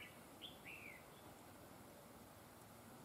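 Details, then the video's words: Decoy red-whiskered bulbul in a trapping setup, delivering its double linked song: a short phrase of three whistled notes, one sharp rising chirp, then a longer falling slur, followed by quiet steady background noise. "Bẫy chào mào GIỌNG CỰC HAY CÓ GIỌNG KÉP NỐI"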